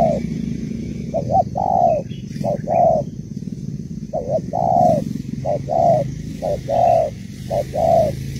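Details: Spotted dove hen, a Malaysian bird, calling to rouse a male: repeated phrases of two brief coos and one drawn-out coo, about five phrases in eight seconds, with low rumbling noise beneath.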